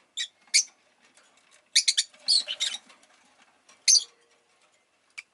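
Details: Rosy-faced lovebird, a pet Agapornis roseicollis, calls in short high chirps: two single notes, then a dense run of rapid chirps, a pause, one loud chirp and a faint final note.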